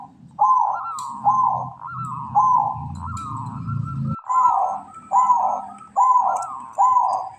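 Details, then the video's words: Zebra dove, local bird in breeding condition, giving kantong semar ngretek song: steady rolling coo phrases every second or so, a low rumbling background during the first half, then clearer coos with faint high chirps overhead. "Perkutut lokal kantong semar ngretek"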